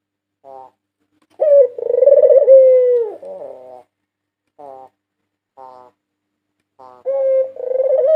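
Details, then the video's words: Master recording of a white dove, national champion 2022, used to lure birds: brief soft notes, then a loud vibrating coo that holds and dips. Scattered short phrases follow before the coo resumes. "Masteran burung puter putih juara nasional 2022 merdu dan ampuh untuk pancingan"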